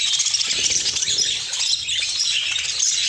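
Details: Caged budgerigars reacting to fresh corn placed in their cage: a dense, continuous chatter of high, scratchy chirps and warbles from several birds.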